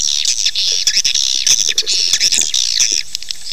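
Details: Swiftlet sound for luring birds to nest: a continuous high chattering twitter with quick rising and falling notes and brief sharp clicks throughout.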